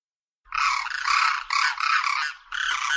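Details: Crane giving harsh, loud, broad trumpeting bursts of about a second each, rough and rolling, after a short silence.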